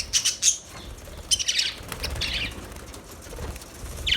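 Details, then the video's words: Budgerigars with a few sharp high chirps followed by buzzy, scratchy chatter bursts and a final squeaky note. "Budgies Chirping Sounds Beautiful Parrot Sounds"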